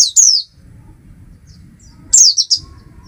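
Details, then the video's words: Oriental white-eye (Zosterops palpebrosus) gives two high, thin, descending twittered phrases about two seconds apart, with a faint low rumble between them. "Oriental White Eye"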